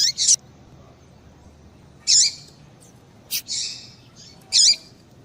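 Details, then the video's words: Call of a female papa-capim, or Yellow-bellied Seedeater, meant to stir a male into singing; scattered high chirps with downward-curling tails, one fuller double note near the middle, over light background hiss. "Piado de Fêmea de Papa capim Para Esquentar Papa capim"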